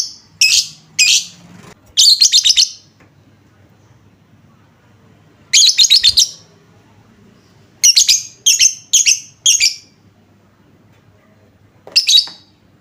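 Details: Lovebird lure song played to make other lovebirds answer at once: shrill, harsh chattering bursts of rapid pulses, each under a second, in irregular clusters separated by pauses of one to three seconds, with a faint low hum behind.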